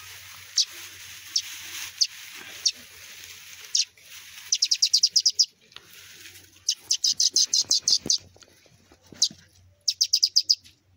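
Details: Two sparrow chicks that fell from their nest; high thin chirps at first, then fast bursts of sharp repeated peeps in rapid series, with brief handling noises and a faint low hum underneath.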